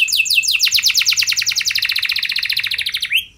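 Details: Canary singing vigorously as a lure for other canaries: a long, very fast rolling trill of repeated falling high notes lasting about three seconds, ending in a rising slurred whistle.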